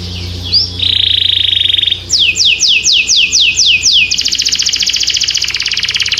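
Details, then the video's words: A singing canary gives a buzzy rolled phrase, then seven loud descending whistled sweeps, then a rapid high trill, over a low background hum. "This Sweet Melody Will Excite Your Singing Canary!"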